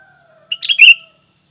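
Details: Sooty-headed bulbul call used as a lure (pikat) to make wild bulbuls answer: one quick bubbly phrase of three or four bright chirping notes that dip downward at the end, with a faint steady low tone behind.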